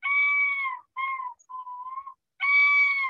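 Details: Yellow-billed Loon on the Chukchi Sea coast in summer gives a yodel, the territorial call made only by males: a long, loud, wailing note, two shorter broken notes, then another long wail, all eerie and full-toned.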